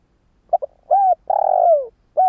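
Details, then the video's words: Decoy cooing of a spotted dove meant to draw in wild doves: a quick doubled note, a smooth falling coo, a long buzzy coo sliding downward, then the start of another coo. "Tiếng gáy cu mồi cây | Tiếng chim cu gáy kích bổi nhanh nổi hiệu quả"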